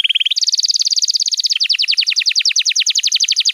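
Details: Canary song played to train young canaries: a short low roll jumps to a high rapid trill, then breaks into fast repeated descending chips, roughly ten per second.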